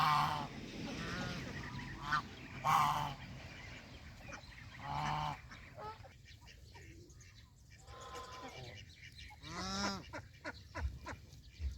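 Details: Domestic geese, young and adult, eating fresh grass by a farm pond utter scattered harsh honks, with quieter gaps between and a strong, drawn-out nasal honk near the end.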